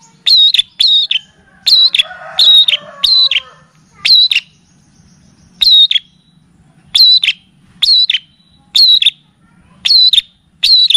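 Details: Tutor and lure song of the long-tailed shrike (cendet): clipped high chirps in pairs and triplets, separated by short gaps, with a brief soft warbling underneath near the start.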